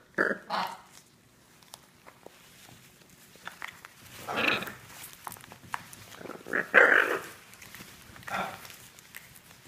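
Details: Two Hyacinth macaws playing with each other, trading harsh, raspy squawks and low growling grunts in short bursts a few seconds apart, with quiet gaps between.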